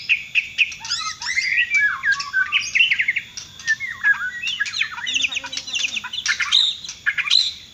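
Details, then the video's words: White-rumped shama from Borneo singing a dense, varied song of rapid whistled phrases, sweeping slurs and sharp chirps, mostly high-pitched with little pause, a faint low hum and brief lower notes near the fifth second. "Kicauan murai batu borneo"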